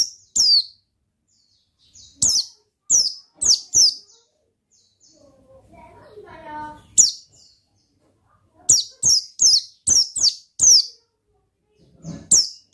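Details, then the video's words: Oriental white-eye singing ngalas: rapid series of shrill, falling chirps in bursts, interrupted midway by a short stretch of human speech. "Suara Bikin Pleci Gacor Ngalas Dengan Burung Pleci Gacor NGALAS INI"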